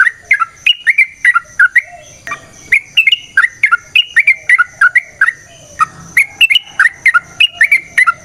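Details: Yellow-vented bulbul in long fighting song used to goad rivals: crisp, liquid, bouncing phrases repeated rapidly in runs, with a short pause midway before the rolling notes resume.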